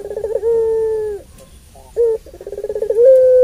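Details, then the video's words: Long-voiced puter pelung dove giving its long provoking call: a rolling pulsed coo held then cut off, a pause, a short accent note, and a new rolling phrase rising into a sustained note. "Puter Pelung Suara Panjang Ini"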